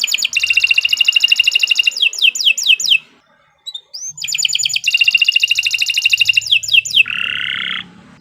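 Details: Nusantara canary song used as a tutor recording: long rapid buzzy trills followed by descending sweeping whistles, a short silence, then the rattling trill repeats and ends in a lower steady warble; faint low rumble beneath.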